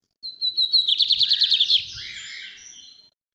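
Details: Lined seedeater, known in Brazil as bigodinho or estrelinha, singing the northeast song type: a whistled opening note leading into a fast rattling trill of about ten pulses, then a softer buzzy trailing phrase, all high-pitched and clean.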